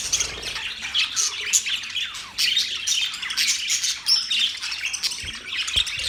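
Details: Happy budgies keep up a busy stream of high chirps, scratchy warbles and brief squawks, the chatter dipping briefly near the middle before resuming just as densely.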